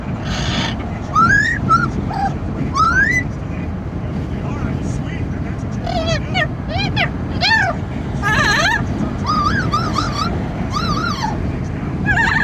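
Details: Noisy Amazon parrot on a car ride: scattered short upward-sweeping whistles and chattering squawks across several seconds, with quieter gaps between, all over the steady rumble of wind and traffic.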